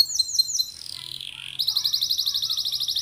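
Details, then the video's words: Canary singing to encourage other canaries: several short downward-swooping notes, a softer gliding tone, then a fast, loud, rattling trill of regularly repeated high notes. "PANCINGAN KENARI GACOR❗CENGKOK MEWAH GAMPANG DIIKUTI KENARI"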